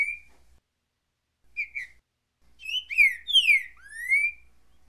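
Green-winged saltator: a lone whistle, a pause, a quick two-note slur, then a rich run of loud, slurred whistles falling and rising over about two seconds.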